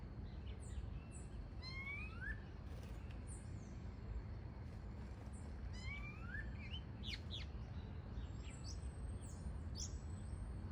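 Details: A free-living variable oriole (Icterus pyrrhopterus) in its natural habitat sings clear whistled phrases that swoop upward, twice about four seconds apart, mixed with thin high chirps from other birds over a steady low rumble.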